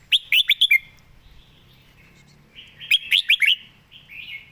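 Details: Caged red-whiskered bulbul giving rapid whistled phrases, four or five swooping notes in under a second, repeated after about two seconds, with faint chattering from other birds in the background.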